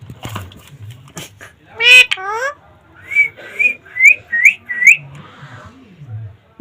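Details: Rose-ringed parakeet, a rescued pet ringneck in Bangladesh, copying human speech: clicks and a harsh harmonic squawk, then five rising whistled notes growing louder, with faint low murmurs afterwards.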